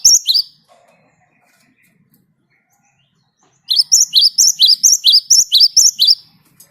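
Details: A Great tit in full 'gacor' voice, recorded for luring other birds into song. After a brief opening note and a long pause comes a fast run of sharp, high, paired whistled notes at a steady, rolling pace.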